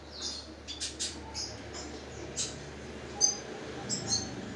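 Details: A 10-day-old red siskin (Spinus cucullatus) chick gives thin, high squeaky peeps in short, irregular bursts, about one a second, over a faint low hum.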